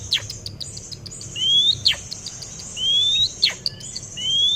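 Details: Young white-rumped shama, six months old, hatched 12 October 2024, still pushing its tail, repeats a clear rising whistle about every one and a half seconds, mixed with sharp high ticks and a thin background chatter.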